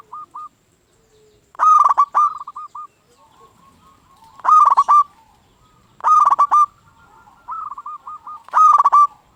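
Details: A local zebra dove used to provoke other zebra doves into song; four harsh, loud bursts of rapid cooing notes, each about half a second long, alternate with gentler rolling coo phrases.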